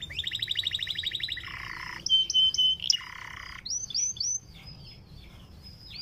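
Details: Panda canary, a caged bird, in a sweet song meant to stir other canaries to sing: a fast rattling trill, lower buzzy rolls, sharp whistled notes and high sweeping chirps.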